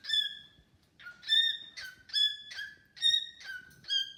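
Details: Pet cockatiel singing to a newly arrived bird companion: clear whistled notes with rich harmonics, each sliding slightly downward, repeated in a steady pulse about twice per second with short gaps between.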